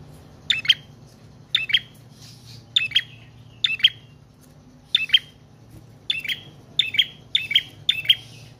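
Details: Prinia song serving as a lure and as a master recording for cage birds: pairs of bright, sharp chips with brief buzzy trills, repeated in irregular bursts against a faint low drone.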